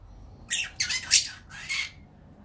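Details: Drowsy caged Fischer's lovebird on a warm, sunny day utters four harsh, scratchy chirps in quick succession over about a second and a half, indoors with little background noise.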